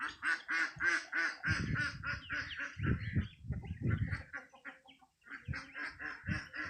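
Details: Geese with chicks: rapid runs of short, nasal honking calls at about three per second, pausing briefly midway and then resuming, with low thumping noise below.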